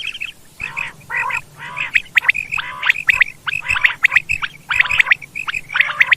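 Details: Quail calls of the kind used to lure quail for hunting: a steady run of harsh raspy bursts alternating with short clear whistled notes, about one each second.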